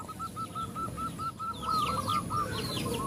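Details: Zebra dove, a female calling to males while other zebra doves join in; soft, evenly spaced mid-pitched coo notes repeat steadily, with faint high chirps from other birds and a low background rumble.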